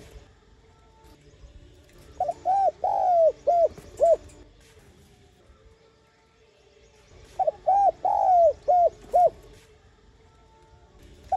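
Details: Spotted dove giving calling and urging coos: two phrases of mellow, hooting coos, four or five notes each, about five seconds apart, over a faint low hum.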